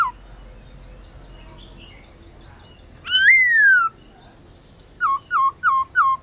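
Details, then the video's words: Black-throated laughingthrush, a kept songbird, singing at midday as training song: a loud rising-then-falling whistle followed by four short repeated downslurred whistled notes, over quiet background hiss. "Khướu bạc má HÓT BUỔI TRƯA cực hay , Luyện khướu bạc má hót cả ngày, khướu bạc má hót giọng rừng"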